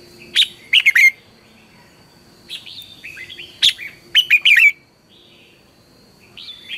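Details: Red-whiskered bulbul giving morning training song used to stir other bulbuls: sharp notes followed by fast liquid warbles, repeated in three bursts with quiet gaps, a thin steady whine running underneath.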